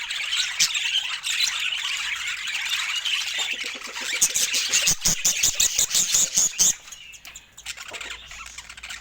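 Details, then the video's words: Pet budgerigars at feeding time with fresh fruit, giving dense high warbling chatter with squeaks, then a burst of rapid dry clicking pulses in the middle before the calls fade toward the end. "Cute Budgie Love and Funny Sweet Sounds During Fresh Fruit Food Time"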